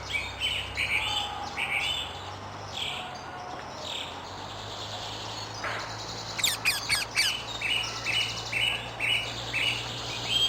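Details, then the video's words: Rose-ringed parakeets living wild in Amsterdam, Netherlands, give scattered shrill squawks and a loud cluster of rasping screeches midway, followed by repeated clipped high notes, with a low constant hum and other birds chirping behind. "Wild Indian ringneck parrot, parrot sounds, ringneck parakeet sounds"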